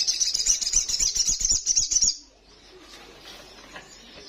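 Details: Female little spiderhunter calling to attract a male, in breeding condition: a brisk high trill of quickly repeated notes lasting about two seconds, then faint background noise.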